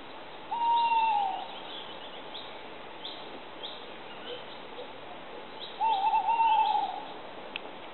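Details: Tawny owl (Strix aluco), southeastern Bilogora, Croatia: a long, even hoot sliding down at its close, then after a four-second pause a bubbling, tremulous run of hoots. Faint high chirps and hiss fill the background.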